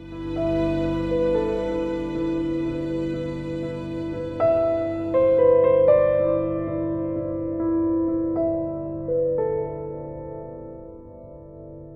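Soft, slow instrumental music with sustained tones and gentle plucked notes, and no animal sounds.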